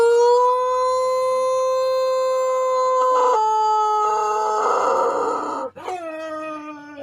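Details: Indonesian Pelung rooster crowing during a voice contest, a drawn-out tonal crow that slowly rises and stays level for about three seconds, then steps lower, grows rougher, and ends in a falling drawl after a short break.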